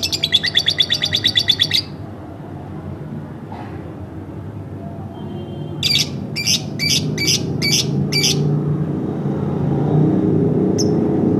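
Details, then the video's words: Pet lovebird kept at home: a short fast buzzy trill, then a pause with low rumbling background, followed by a series of six sharp high chirps spaced roughly half a second apart and one last brief note. "masteran bukan tapi burung lovebird rumahan"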